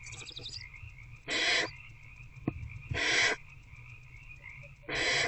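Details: Barn owls in a nest box after dark on 19 February 2024, an adult feeding its older owlet; three long, noisy screeching hisses roughly every two seconds, one faint click between, steady hum underneath.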